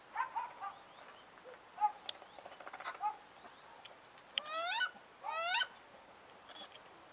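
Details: A female wood duck, upset at being moved to another pond in winter among mandarin and call ducks, gives two loud upward-sweeping squeals after a series of short clucks, clicks and softer whistles.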